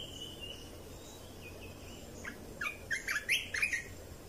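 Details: Red-whiskered bulbul song meant to train young birds and excite birds: soft high tones at first, then a quick burst of about six bright warbled notes near the end, over steady hiss.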